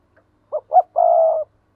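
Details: 'Thúc gù' coo of a spotted dove, used as a lure so wild doves grow agitated and coo in reply: two quick hollow notes, then one long, level, mellow coo, with nothing else audible.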